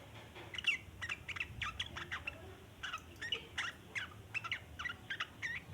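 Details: Sooty-headed bulbul giving a long chattering song used as a lure for untamed bulbuls; rapid bursts of harsh, bubbly chattering notes in quick clusters, pausing briefly between runs, over faint low background hum.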